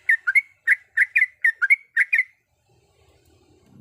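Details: Calling to the male, a female yellow-vented bulbul gives quick paired chirps, bright and slightly rising, for two seconds, then falls silent as low background noise creeps in.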